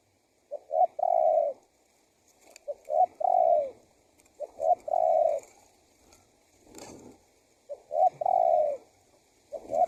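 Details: Spotted dove call used as a lure to draw wild doves: low cooing phrases of two short rising notes and a long drawn, falling coo, repeated four times at about two-second gaps over a quiet background.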